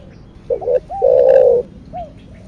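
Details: Spotted dove, thổ đặc thúc style (thổ sấm), gives two quick mellow notes and then a long, full, steady coo, followed by a faint curved trailing note.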